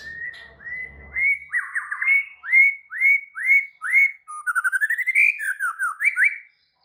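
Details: Excited, agitated white-rumped shama: a clear series of repeated upward-sweeping whistles, about one every half second, followed by a fast run of trilled notes and slurred whistles.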